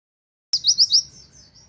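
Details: Buxtoni white-eye (pleci) imitating a canary's 'wit wit' phrase: a brief burst of four high, thin, downslurred notes in quick succession after a silent start, then fading chatter.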